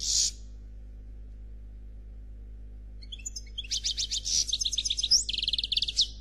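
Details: European goldfinch delivering Noir Khalwi song without faults: an opening rasp, a quiet gap, then sparse chips building into quick trilled series of sharp repeated notes, roughly four per second, with high squeaky whistles.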